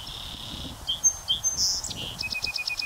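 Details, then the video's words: North American Song Sparrow singing on a northern USA prairie on a windy day: high sweet introductory notes and a buzzy middle, ending in a quick trill of repeated notes, with wind rumble beneath. "A North American Song Sparrow sings its song on a northern USA prairie on a windy day"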